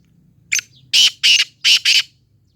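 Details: Black francolin calling: a short, thin opening note, then four loud, harsh, grating syllables in two quick pairs over a quiet background.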